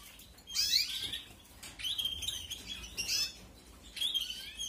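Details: Young canaries calling as they are fed in 2021: three clusters of high, scratchy twittering chirps about a second apart, separated by short quiet gaps.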